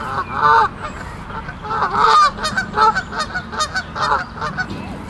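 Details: Geese guarding their goslings by the lake in Central Park, disturbed by another group of geese nearby; a strong double honk opens, followed by a brisk run of short, cracked, nasal honks with faint background noise.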